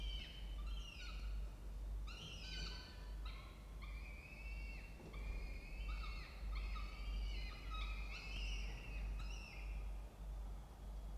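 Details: Peregrine falcons nesting in a water tower nest box at a university campus in Orange, New South Wales, Australia, in October; a steady series of grating, slightly falling calls, several per second, over low mechanical hum.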